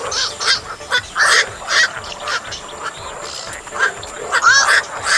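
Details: Lure recording of black-crowned night heron calls for netting birds, with rough, nasal squawks rising and falling in pitch, given in spaced bursts against a steady faint hiss.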